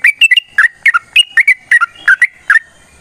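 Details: Rapid fighting-style song of a sooty-headed bulbul, a lure meant to provoke other birds into answering: quick clusters of bright, slurred chirps, two or three notes tightly grouped, coming about three times a second.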